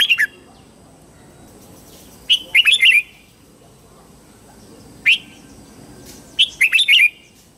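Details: Morning song of a red-whiskered bulbul, played to train young white-cheeked bulbuls: brisk three-to-four-note chirpy phrases separated by pauses, plus a single sharp upslurred note in between, over quiet hiss.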